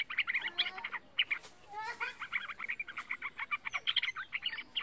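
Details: Lively song of a young pet yellow-vented bulbul, kept as a lure and tutor for other bulbuls: dense, fast chattering notes in quick bursts, with a brief rising slur near the middle.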